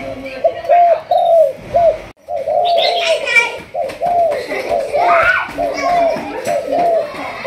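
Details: Spotted dove of a Malaysian 'thúc gù' line in decoy training. Near-continuous soft coos run through the clip, overlapped by human voices, including a child speaking, indoors.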